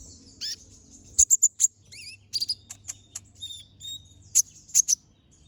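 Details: Brown-throated sunbird song in full, lively form, sharp bursts used as a master recording for training other birds: high thin chirps and ticks with short wavy whistled phrases, in irregular quick bursts over faint low hum.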